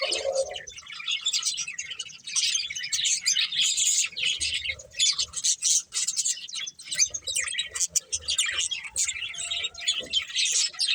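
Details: Breeding pair of colourful budgies keeps up a busy warble of rapid high chirps, squeaks and clicks for the whole stretch, with a short lower tonal note at the very start.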